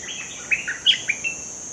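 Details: Newly caught bulbul in training: a quick run of bright whistled notes, a few louder accented ones, slurred up and down within a short phrase, with a high steady insect drone behind.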